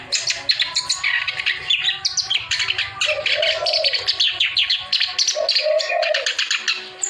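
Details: Persistent gacor song of a clamorous reed warbler, aimed at stirring reluctant birds to sing: rapid, grating chatter and sharp high notes in a continuous stream, with lower, mellow warbled phrases breaking in around three and five seconds.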